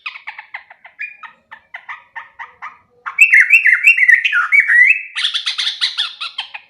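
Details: Sooty-headed bulbul song for bird training: soft, evenly spaced chip notes give way to loud, liquid, rising and falling whistles, then a busy warbling chatter.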